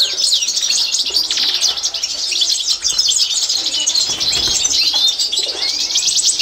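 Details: European goldfinch of the authentic Constantine type in a training recording: packed, unbroken high twittering and jingling trills, busy and chattering throughout, with faint low rumble in the background.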